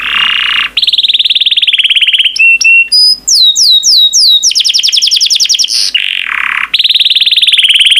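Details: Yellow canary singing a long varied song: low buzzing rattle, sustained trill, clipped pure notes, quick rising and falling whistles, a rapid rolled trill, then another low rattle and a final steady trill.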